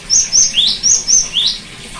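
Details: Cinereous tit song meant to restart a bird that stopped singing: two-part phrases of high flat whistles followed by a lower upward-sweeping note, repeated twice in quick rhythm, clean background.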